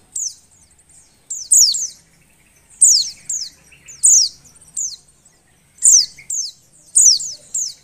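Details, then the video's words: Breeding-condition female Oriental white-eye, kept to spur males to sing, giving sharp high downslurred chirps in short clusters of two or three, spaced irregularly over several seconds against a quiet background. "suara pleci betina birahi"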